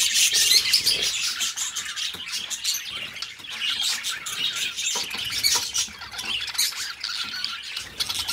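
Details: A pair of pet budgerigars chatter at length: high, scratchy twitters and clicks pour out in irregular bursts, rising and falling in loudness throughout.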